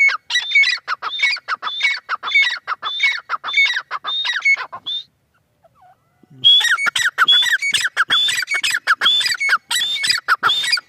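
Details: A female francolin gives loud, rapid, harsh calls: whistled high notes alternating with lower falling notes. The series breaks off for about a second of near silence, then resumes in a dense, excited run.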